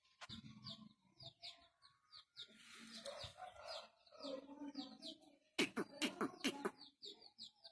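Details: Talking pet Indian ringneck parakeet producing mixed squawks, warbles and harsh chattering phrases, then a loud burst of rapid sharp notes, with human voices faintly underneath.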